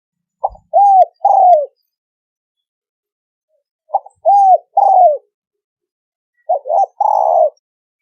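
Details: Spotted dove in the thổ sấm đồng style, cooing as a lure to attract males and females. Three phrases of a short note followed by two arched coos, each phrase separated by about two seconds of silence.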